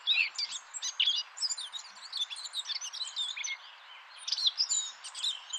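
Eurasian Blackcap song: a rapid, scratchy warble of high notes that swells toward a louder, clearer phrase near the end.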